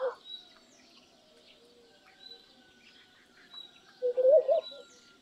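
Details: Laughing dove giving a short, low bubbling coo of quick wavering notes near the end, with faint high chirps of other birds and a thin steady tone in the background.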